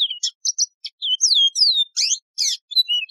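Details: Continuous warbling from a Yellow-fronted canary, a wild canary with a resonant, pleasing voice: varied high notes, long downslurred whistles and rough buzzy bursts follow each other without pause.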